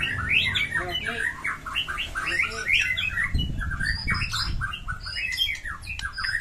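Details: White-rumped shama singing non-stop in a fighting mood, with a rich repertoire: dense rapid strings of chirps, whistles and squeaky notes, phrases tumbling one into the next with barely a pause.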